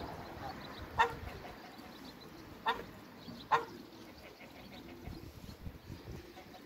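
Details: African geese on a waterbird farm meeting a newcomer: three short, loud, clipped honks spaced about a second or two apart, then quieter faint calls against a murmuring background.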